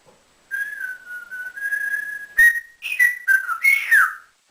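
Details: Male African grey parrot living in a cage at home, taught to whistle like a builder, holding a long, level whistle before breaking into quick, looping whistled notes.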